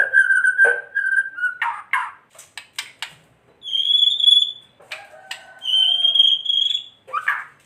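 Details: White-rumped shama lure sound meant to provoke rival shamas: long pure whistled notes, some steady and high, with scattered clicks and short rough notes between.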